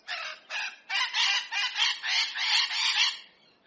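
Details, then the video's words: Hyacinth macaw in nature giving a fast run of rough, screechy squawks, about eight harsh notes in quick succession, fading at the end. "Canto Da Arara | Arara Azul | Arara Azul Cantando | Arara | Arara Na Natureza | Som Da Arara"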